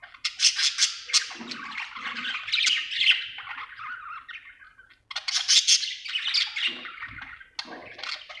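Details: Budgerigar in a happy mood chattering continuously with buzzy, squeaky warbles and sharp clicks, a short break after five seconds before the busy chirping returns.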